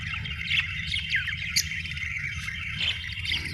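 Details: Busy budgerigar warbling, with rippling, buzzy notes and sharp squeaks in quick succession, over a low droning background hum.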